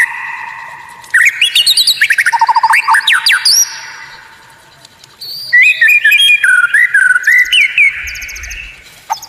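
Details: White-rumped shama training song with unusual, rare sounds: fast bursts of rising whistles and rapid ticking trills, broken by a quiet pause, then twisting whistled phrases and chatter.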